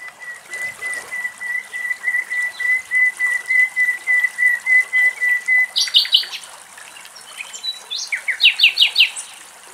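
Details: A common nightingale singing in Greece gives a long run of about twenty pure, evenly spaced whistles that swell in volume, then breaks into rapid, rich, clicking trills. Faint trickling water behind.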